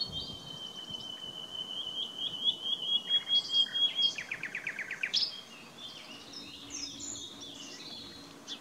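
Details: Common nightingale (Luscinia megarhynchos) song opening with a long, level, pure whistle, then a rapid, pulsing run of buzzy repeated notes that swells and ends abruptly, followed by softer scattered chirps.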